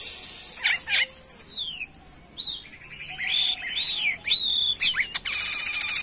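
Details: Actively singing jalak kapas myna giving long clear whistles that slide downward and level off, broken by sharp chirps and rasping trills, a loud varied song.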